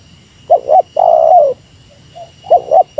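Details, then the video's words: Spotted dove in meratus lure style challenging a rival: a double clipped coo and a long sustained note, a faint soft coo, then a fresh double note as the next phrase begins. "Suara Burung Tekukur Meratus Lawan 3 detik Lawan Turun Dari Paparan"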